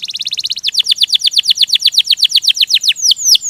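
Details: Rolling canary song with a quick run of short notes switching to a steady series of downslurred whistled notes, about six per second, ending in higher sweeping whistles.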